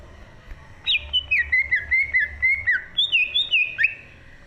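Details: Green leafbird in full song, recorded in 2023. After a short quiet start comes a steady string of bright whistled notes, each bending down then up, repeated about every quarter second in a flowing chain.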